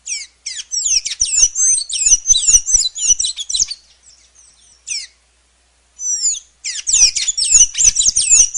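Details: Sayaca tanager song: dense bursts of high, squeaky, sharply slurred notes delivered in quick jumbled phrases, with a brief pause in the middle and faint low knocking sounds beneath.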